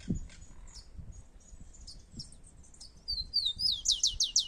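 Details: Rufous-collared sparrow in natural surroundings, two birds competing: after faint high chips, a rising whistle leads into a loud run of rapid, high, downslurred trilled notes at the end.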